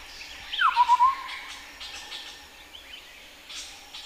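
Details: Chestnut-headed partridge at Bokor National Park, Cambodia, gives a single phrase: a falling whistle followed by a brief burst of four short repeated notes, with faint chirps of other forest birds around it.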